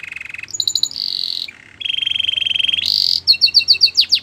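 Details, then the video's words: Belgian canary singing: a low rolled tour, brief mid notes, a held steady tone, then a long low rattling roll, a sudden high burst and a series of evenly spaced sharp chips. "Belgian canary song"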